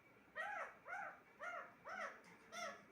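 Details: Pet talking parrot indoors giving five arched, harmonic, slightly nasal calls in three seconds, each rising then falling, at a steady rhythm with short quiet gaps between them.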